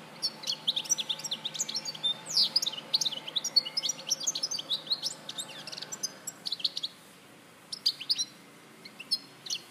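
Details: European goldfinch from Larache, 2014, delivering a long, dense run of tinkling, twittering notes with sweeping slurs and buzzy trills, then a quieter stretch of scattered chips near the end.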